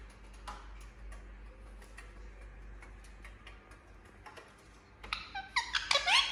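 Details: Pet Indian ringneck parrot indoors: quiet room with scattered ticks and clicks, then in the last second and a half a burst of loud squeaky, bending calls.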